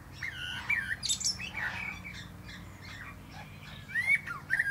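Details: Male common blackbird on a plum tree top sings a varied phrase of mellow fluted notes and squeaky high twitters, pausing briefly before rising bright whistled notes.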